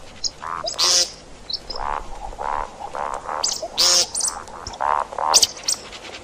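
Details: See-see partridge calling, a hunting lure recording: a run of soft, rounded low notes about every half second, broken by several loud harsh grating bursts.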